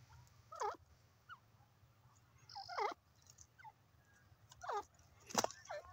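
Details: Grey francolin in a forest, calling with several separate curved, harmonic notes spaced about two seconds apart, against a quiet hiss.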